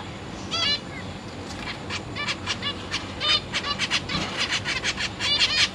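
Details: Caged zebra finch family with newly fledged chicks being fed by busy parents; short nasal calls start sparse, then build into a rapid, overlapping string of sharp notes over constant low hiss.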